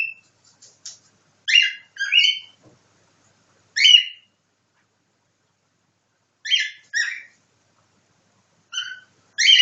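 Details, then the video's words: Pet cockatiel copying nightingale song indoors: scattered short harmonic chirps and whistles in small clusters, separated by long silent gaps. "Попугай корелла Ричи копирует соловья"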